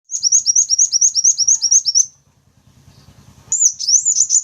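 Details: Sunbird lure recording for drawing in wild sunbirds of the wulung, kaca and jentit types: a fast run of high, thin, hooked chirps repeated about twice a second, then a pause with a low engine rumble and a sweeping twittering phrase.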